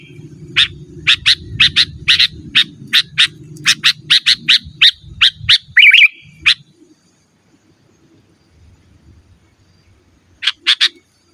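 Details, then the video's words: Sooty-headed bulbul used as a lure and tutor for cage birds: a fast series of harsh rasping notes with one brief warble, then a few seconds of near silence before a final pair of notes; low rumble early on. "Suara Burung KUTILANG GACOR Asli Tanpa ISIAN"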